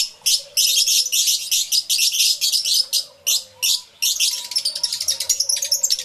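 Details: Crowded lovebird aviary, yellow-collared birds among them, recorded live with two external microphones: continuous loud, scratchy, high chattering in rapid pulses, many birds calling at once.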